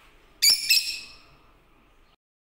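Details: A yellow lutino lovebird makes a pair of piercing, buzzy squawks close together, the second slightly softer, then silence.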